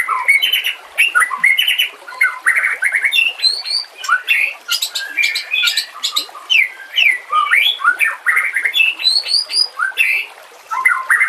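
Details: Long varied white-rumped shama song on a tutor track with natural sounds and gurgling water: repeated burry phrases, rising whistles and sharp high chips, delivered in bursts with short pauses.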